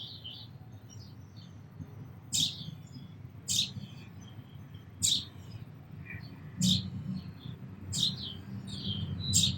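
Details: Sparrow chirps, six sharp high notes spaced a second or more apart, with faint twitters between them and a noticeable low background rumble.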